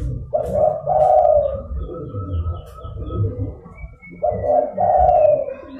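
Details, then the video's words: Energetic zebra dove call meant to draw in rival doves: rapid stuttering coo bursts opening and closing the passage, a thin steady tone behind, and a low rumble throughout. "DERKUKU GACOR (DERKUKU PIKAT)"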